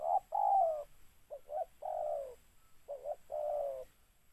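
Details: Spotted dove recorded during mikat bird trapping, giving hoarse mid-pitched coos in short-then-long phrases, each long note slurring downward, repeated with uneven gaps over a quiet background.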